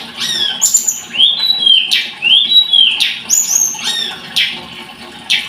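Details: Scarlet-headed flowerpecker delivering high thin whistles and level piping notes interspersed with short buzzy bursts, phrases coming roughly once a second.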